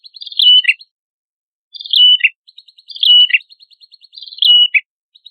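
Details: Prenjak kepala merah singing as material for training songbirds: four similar phrases, each a buzzy burst leading into a level whistle that drops sharply at the end. The phrases are spaced about a second apart, with soft ticks between them.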